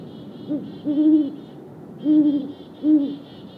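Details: Deep, drawn-out hoots of a great horned owl pair calling back and forth, three long hoots about a second apart after a short lead note, with thin high clucky chitters between.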